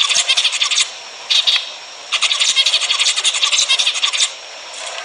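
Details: Zebra finches playing back to encourage mating: clustered bursts of quick, high, nasal chirps, several birds calling together, with short pauses between the bursts.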